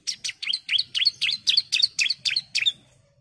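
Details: Female bar-winged prinia calling to the male: a quick run of about eleven sharp, high chirps with slurred, downward-bending notes, evenly spaced and fading at the end, used as a lure to set birds singing.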